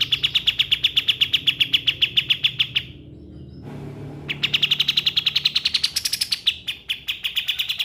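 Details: Cotton pygmy goose, recommended as a tutor for training songbirds: rapid series of sharp, high chirps repeated about four times per second, a brief break near three seconds, then the chattering resumes with some higher notes.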